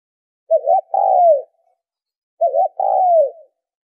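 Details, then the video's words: Spotted dove coo meant to excite decoy birds during training: two matching phrases about two seconds apart, each a short wavering double note followed by a long loud coo sliding downward, with quiet background. "tiếng chim cu gáy kích mồi tập bổi hiệu quả"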